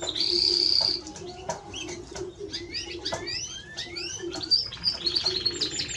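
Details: Timbrado Español canary giving a long steady high whistle, then scattered short rising and falling whistled notes, ending in a bright buzzy trill, over a low steady hum.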